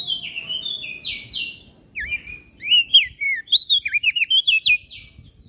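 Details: Common iora and bar-winged prinia from Lombok, a lively song used as masteran for training cage birds: varied whistled and slurred phrases, then a quick run of bright repeated chirps about every quarter second, with low background rumble.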